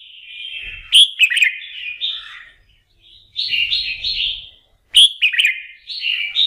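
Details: Red-whiskered bulbul during morning song practice to fire it up for contest singing: two bouts of bright, warbling whistled notes, each starting with a sharp click, with a quieter rising phrase in between and little background.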